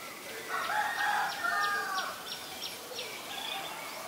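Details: Black-collared starling at Ubon Ratchathani, Thailand, 17 April 2022: one loud, rough, nasal call lasting over a second with layered harmonics, then fainter trailing notes and distant high chirping from other birds.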